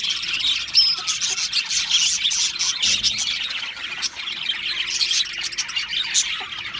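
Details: Australian parrots twitter and squawk in a constant high chorus. A sharp rising whistle comes early, then dense scratchy chirping continues to the end.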